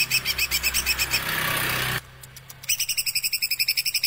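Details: Young spotted-plumage (trotol) Greater Green Leafbird from Semarang with a long song, pouring out fast, high rolled notes, about four a second, broken by a short pause.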